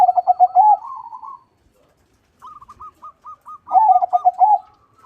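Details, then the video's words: Zebra dove, or perkutut, in full loud song: a rapid rolling trill of coos ending in a drawn note, a pause, then soft clipped coo notes leading into another rolling phrase. "PERKUTUT CROSSING GACOR SUARA BESAR."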